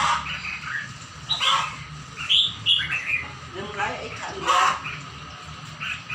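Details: Bird singing: scattered short chirps and bright twittering notes, some sliding upward, in uneven bursts over a low steady background hum, with faint speech-like sounds.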